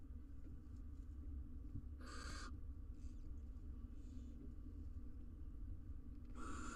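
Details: Barn owl pair in a nest box in Israel, female tucking a day-old chick and five eggs beneath her as the male sits close; harsh, broadband hissing screeches in short bursts over a low steady hum.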